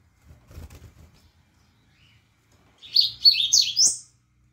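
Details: Seedeater (coleiro) kept by a bird breeder sings a short burst of quick, high, warbled chirps that climbs to a thin rising note at the end, preceded by soft low thuds and near silence.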